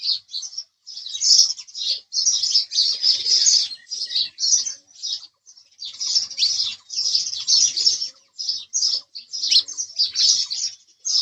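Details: Continuous house sparrow chirping, a dense chatter of high, harsh chirps tumbling over each other with brief gaps, steady and busy throughout.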